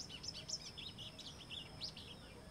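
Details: Sporophila albogularis, known as golinho, delivering a jumbled, high twittering phrase of quick chirps and slurred notes with brief gaps, against a constant faint hiss.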